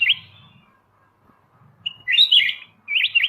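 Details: Kutilang emas mata putih bulbul on a songbird-training master recording: a brief whistle, then a loud rolling warble and a final sharp rising phrase, with a low mechanical-sounding rumble beneath the opening.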